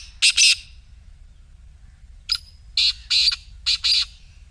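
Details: Black francolin, played to encourage a quiet partridge to start calling, gives repeated harsh phrases: a pair of loud buzzy notes, a gap, then short ticks and paired grating bursts twice more.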